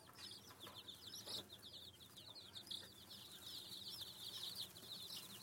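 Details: Group of chicks in a farm store keep up a dense, shrill peeping chorus, rapid short chirps piling over one another without pause, against a low indoor hum.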